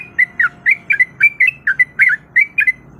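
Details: Female sooty-headed bulbul in breeding condition calling to attract a male, offered as a lure sound. About a dozen short, bright, chirpy notes come at a steady pace of roughly four per second, over a low background hum.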